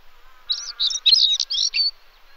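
A European stonechat gives a brief, scratchy, twittering song phrase of rapid high notes lasting about a second and a half, over faint background hum.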